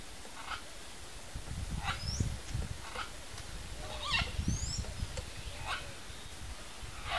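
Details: Pair of red-and-green macaws feeding on macaúba palm fruit in natural habitat; scattered short, rough calls every second or so, a few thin upslurred notes, over a low rumbling background.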